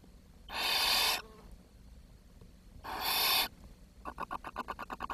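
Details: Barn owl nestlings that were not getting enough food; two loud, hoarse hissing screeches followed by a quick run of short, regularly spaced ticking calls.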